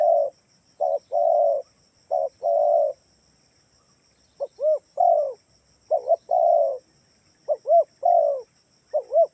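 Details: Spotted dove coos used as a lure so other doves join in: short and long low husky notes, then after a pause arched double coos mixed with longer rolling ones, repeated about every second, with a faint high hum.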